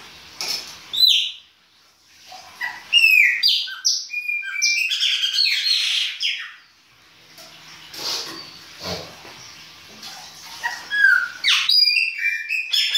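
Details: Chopi blackbird singing its winter song in the baianinho style: a long run of loud, varied whistled phrases, sharp rising and falling notes, and buzzy trills, with short pauses between bursts.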